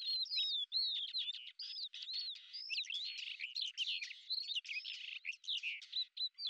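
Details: Continuous scratchy chatter from a lesser grey shrike in Azerbaijan, mixing rapid harsh notes with clear rising and falling whistles, delivered without pause for several seconds.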